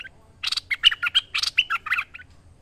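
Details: Merbah lekir bulbul in full chattering song for bird training: a continuous jumble of rasping and liquid warbled notes lasting about two seconds.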